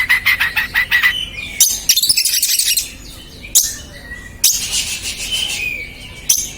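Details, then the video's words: Agitated oriental magpie-robin (kacer) used as a lure: rapid clipped chips lead into scratchy, buzzy phrases broken by short pauses, with a few thin rising whistles between harsh bursts. "Pancingan Burung KACER STRESS 100% EMOSI"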